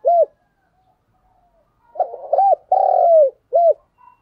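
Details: Decoy spotted dove calling wild doves in: a short soft coo, a pause, then a stuttering lead-in, a drawn-out falling coo and a final short coo, low and hollow in tone.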